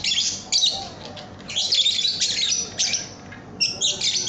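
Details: Lovebird song used for training cage birds: high, squeaky twittering with harsh buzzy notes, delivered in uneven bursts with short pauses.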